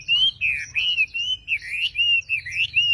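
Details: Javan pied starling giving clear, wavering whistled notes in a steady rhythm, about three per second, each rising then falling, with faint higher overtones and a quiet background.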